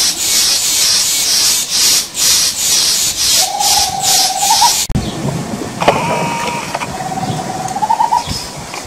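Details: Tropical screech owl (Megascops choliba) singing in woods on a farm in Brazil: two short, purring trills, each lifting slightly and ending in a few stressed notes, over a loud insect-like hiss and scattered knocks.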